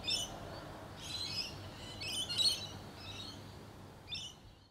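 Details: Rainbow lorikeets, wild parrots from Australia, let out five or six rasping, grating screeches in separate bursts about a second apart, each short and harsh, over faint low rumble before the sound drops away at the end.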